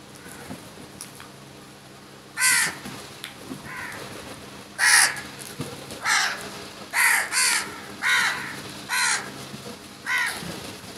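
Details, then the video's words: A large flock of crows mobbing food give harsh, hoarse caws, one or two every second or so in overlapping bursts, with others calling faintly in the background. "Crows Sounds"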